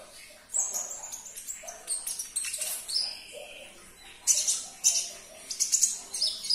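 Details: Sunbird, called konin, in a recording played to set off caged birds: high squeaky twitters and sharp chirps in irregular bursts, with a brief lower buzzy note midway.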